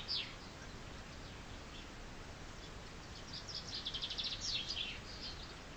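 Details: Spring chaffinch song: after a single sharp note, a rapid run of high repeated notes speeds into a loud closing flourish, with soft background noise throughout.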